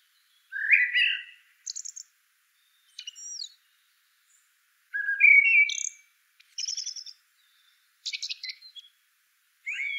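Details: Varied blackbird singing: warbled fluted phrases alternate with thin, high, buzzy twitters and short squeaks, spread irregularly across ten seconds with quiet gaps.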